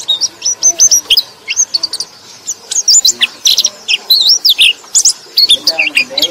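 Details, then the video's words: High, sweet twittering of a white-eye, used as a lure for sluggish white-eyes: lively strings of short rising and falling chirps, dense and nearly unbroken throughout. "KICAU BURUNG PLECI - Untuk Pancingan Burung Pleci Lelet"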